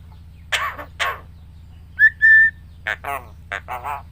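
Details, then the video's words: Pet Javan myna that imitates human speech, greetings and coughing, giving harsh rasping bursts and a clear whistled note held for a moment, followed by several short raspy speech-like syllables over a steady low hum. "BURUNG JALAK KEBO BISA NGOMONG,MINTA BANTUAN PKH KE PAK RT,UCAP SALAM DAN BATUK"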